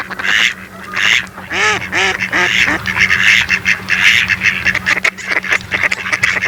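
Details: Mallard ducks quacking: a run of short nasal quacks, some descending in pitch, mixed with harsher raspy calls in quick succession. A steady low hum sits underneath.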